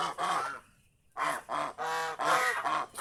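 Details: Geese kept at a house, happy in the surrounding fields; one nasal honk, then a short quiet gap, then a quick series of four or five loud, hoarse honks in rapid succession.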